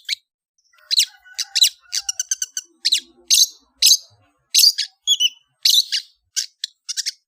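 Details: Kicau ocehan song of a long-tailed shrike (cendet): varied high, harsh, whistled notes in irregular clusters, some stuttered and some sliding, with brief gaps between phrases and a faint low tone early on.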